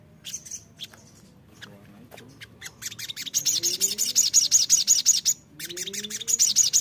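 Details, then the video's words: ['Lure sound for an untamed sogon bird to make it sing: a few sparse notes, then a steady rapid train of piercing high chirps, nearly three per second, briefly pausing and resuming.'] "Pancingan ampuh sogon bahan agar rajin bunyi"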